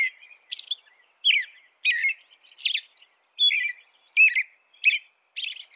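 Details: Rapid American robin song, with phrases coming more than once a second. Warbled whistles alternate with high, strained squeaky notes in a continuous flow. No other sounds.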